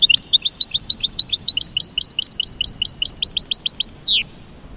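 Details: Mating song of an American goldfinch: a fast, steady stream of high, sweet upslurred twitters, about three or four notes a second, ending in a long falling slurred note, then silence.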